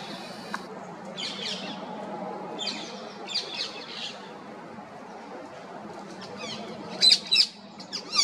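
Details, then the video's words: Female rose-ringed parakeet calling in natural surroundings: short, harsh high chirps come in scattered bursts over a steady low background rumble, ending with a louder pair of sharp squawks. "Female Parrot Chirping Sounds, Natural Parrot Sounds, Parrot Calling"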